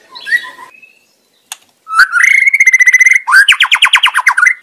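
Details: White-rumped shama singing in the wild: a few soft whistles, then a steady buzzy trill and a louder rapid rattling series of harsh repeated notes ending in an upslurred whistle.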